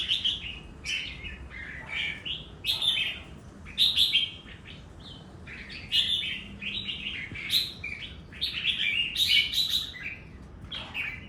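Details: Continuous doubled-style singing from a red-whiskered bulbul: lively warbled whistle phrases come in quick bursts roughly every second, some sharp and rising, others rolling and falling, with faint background hiss.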